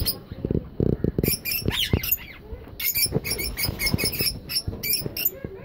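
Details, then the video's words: Several caged lutino, albino and yellow-green lovebirds kept for breeding give rapid, shrill, squeaky chirps in quick irregular bursts, calling over one another, with some low thumping and rustling behind. "Love Birds Lutino Albino and yellow green fishers parrot original Voice sound & Talking"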